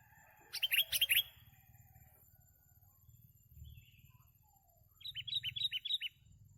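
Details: Sooty-headed bulbul recorded during bird trapping: a short bubbly burst of warbled notes, then after a quiet spell a quick run of about seven clipped rising notes, with low rumbling background noise.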